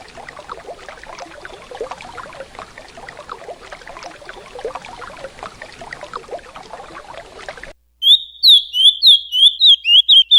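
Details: Ultramarine grosbeak (Cyanoloxia brissonii) singing the "Paraná" song, used for training other birds: rushing river water fills the first part, then the bird breaks in with a fast run of sweet, high whistled notes, several per second.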